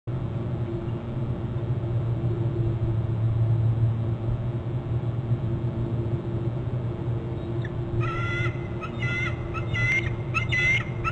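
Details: Bald eagles at a nest on Hornby Island, filmed by a nest and territory camera on 17 May at 15:43, one calling as another arrives and both call while defending the nest; high piping notes in a quick repeated series near the end, over a steady low rumble.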